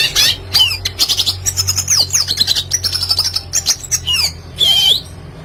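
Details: Red siskin singing steadily, offered as a tutor recording for training young cage birds to sing: fast, high twittering of buzzy trills and sliding whistled notes in quick bursts, with a low steady hum beneath.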